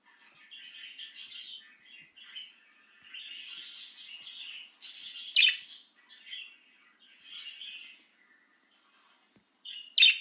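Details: Pet budgerigar let out of its cage, excitedly warbling in long rambling chattery phrases, with a couple of sudden loud clicks standing out from the softer flow.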